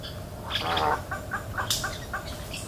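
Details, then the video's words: Spoonbill calling in Everglades National Park: one harsh, raspy burst, then a quick run of short clipped grunting notes about a quarter second apart, over a soft background hiss. "Spoonbill Sounds in Everglades National Park"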